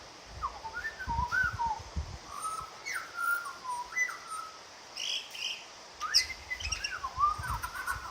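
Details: Butcherbird at a kitchen window giving a varied run of clear whistled notes, rising and falling slurs in loose phrases, with sharper high chips between them and occasional low background rumble.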